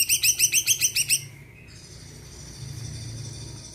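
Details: Greater green leafbird singing to stir other birds: eight quick, evenly spaced bright chirps in just over a second, followed by a faint sustained high hiss.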